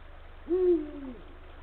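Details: Male Eurasian eagle-owl hooting to his mate at the nest, 16:45 on 17 February 2023: a single deep, mellow note rising slightly at onset, then easing downward and fading over a quiet hum.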